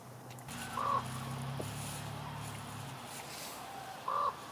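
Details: In Juneau, Alaska, a common raven gives two short, hollow, mid-pitched calls about three seconds apart, with a low engine-like rumble in between.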